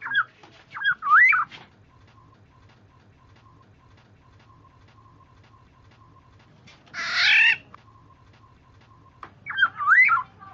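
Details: Lure recording of the black-naped oriole, or kepodang: a liquid looping whistle, a long gap with soft regular beeps, one harsh nasal squawk, then another fluty looping phrase.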